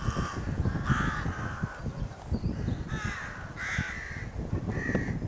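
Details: Excited crows near their nest at a rookery in May 2018 utter about six brief, hoarse caws, spaced irregularly, against a strong low-pitched rumble.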